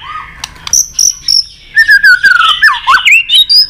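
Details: Fighting song of a white-rumped shama in competition, short high whistles repeated three times, then a long descending whistle blending into a loud jumble of slurred notes and chips.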